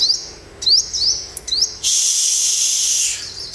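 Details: Olive-backed sunbird, a newly wild-caught bird being tamed in the morning, gives high thin notes that sweep up and down, repeated in quick bursts. A loud hiss follows, and people talk in the background.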